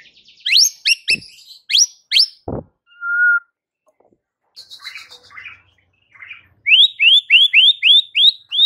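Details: White-rumped shama song that agitates rival birds: a few sharp rising whistles, one clear low whistle, buzzy chatter, then a rapid series of seven or eight upslurred whistles repeated in quick succession.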